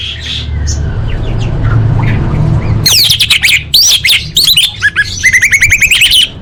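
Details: Orange-headed thrush as a lure for caged birds to sing: after quiet noise, a loud outpouring of fast rising and falling whistles, then a rhythmic series of repeated upslurred notes, with faint low rumble.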